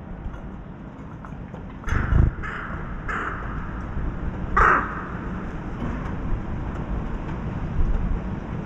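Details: A crow near an apartment by a forest, during heavy rain, gives four or five harsh, hoarse caws spaced roughly a second apart over a steady low rumble of background noise.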